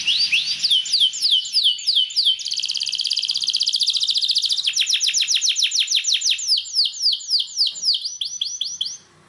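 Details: A Belgian canary's training song for prompting other canaries to sing: falling whistled notes, then a sustained fast trill, then a steady series of separate downslurred notes that fades at the end.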